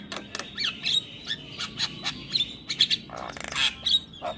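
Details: Javan myna chattering steadily, mixing short harsh squawks, clicks and high squeaky whistles in an irregular rapid series.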